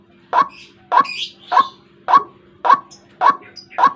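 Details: Rough, repeated croaking of a White-breasted waterhen, a lure call for trapping birds in the morning, about seven even notes in four seconds with occasional high chirps overlapping.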